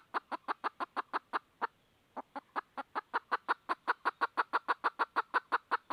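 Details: Hen red junglefowl looking for a rooster delivers fast, regular clucks, about three a second, pausing once briefly before a long, sustained run; faint background hiss.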